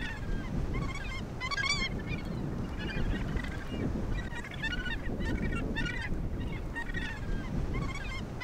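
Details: Australasian gannets calling at the Point Danger colony near Portland, Victoria, Australia: repeated grating, wavering calls from several birds, each a burst under a second, over steady low wind and sea noise.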